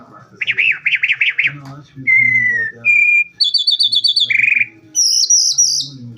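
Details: Calandra lark song: a fast run of varied phrases, with bouncing rippled notes, a clear slurred whistle, buzzy high trills and sharp chips, all rich and rapid.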